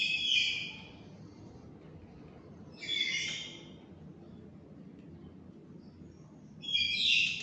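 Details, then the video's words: A tame black-capped lory gives three separate hoarse, rasping high calls, roughly three seconds apart, against a faint indoor hum. "Burung Nuri Jinak Total Rajin Gacor Juga Ngomong"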